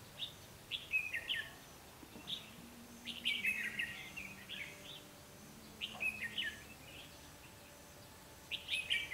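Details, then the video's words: Trapping session, 12 August 2016: a red-whiskered bulbul decoy of the Ché white-cheeked type delivers bright, slurred whistled phrases every couple of seconds to attract wild birds, with a faint low hum beneath and otherwise quiet surroundings. "Bẫy chào mào má trắng ché + cánh như quạt"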